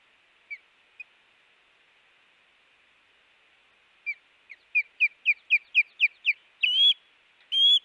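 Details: Hellgate nest osprey calling as a chick fledges, early morning of August 5, 2018: two isolated thin whistles, then a rhythmic train of about eight sharp rising chirps and two drawn-out piercing whistled notes.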